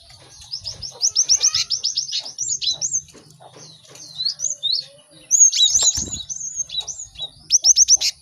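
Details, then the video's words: A lively chorus of caged cinereous tits for teaching birds songs quickly: fast strings of high chips and slurred whistles, pausing briefly before renewed rapid bursts of sharp notes. "Pacingan gelatik batu ramai untuk maksimalkan burung belajar cepat bunyi"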